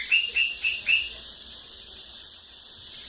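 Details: Bananaquit from lagoa d'água, cachorro louco song style: a few short high chirps, then a rapid, thin, sibilant trill of evenly spaced notes lasting about one and a half seconds.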